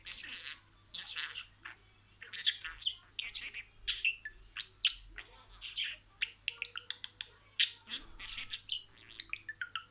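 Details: Pet budgerigar talking and reciting words in a row: a dense run of short, scratchy, high chirps and buzzy syllables, closely spaced and uneven, with brief pauses between bursts.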